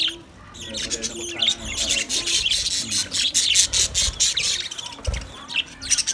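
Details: A group of budgies calling to each other, continuous rasping chatter and squawky chirps building into a thick, fast run of notes, with a low thump near the end.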